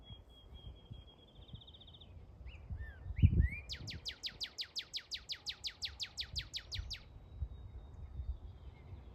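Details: Northern cardinal song likened to "Star Wars" sound effects: a thin steady tone and a few rising chips, then a fast run of about eighteen steeply down-slurred, laser-like whistles, over low rumbling background noise.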